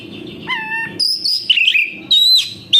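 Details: A kacer, the oriental magpie-robin, sings to coax other captive birds: a steady held whistle, then high sliding notes and a quavering warble.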